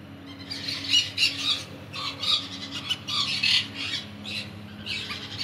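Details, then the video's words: Crimson-bellied conure calling with rapid, grating squawks, several per second in uneven runs, loud bursts alternating with softer rasping notes over a steady low background hum. "Crimson Bellied Conure Birds"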